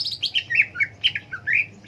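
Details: Cak ijo (green leafbird) giving quick harsh squawky notes and short slurred chirps, about six to eight in under two seconds, in a quiet setting.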